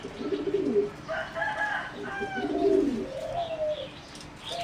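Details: Caged singing zebra dove bred for song competitions, flight cage, 30 April 2014; low, trilled coos repeated in short phrases, overlapped by higher, clearer whistles and chirps from other caged birds.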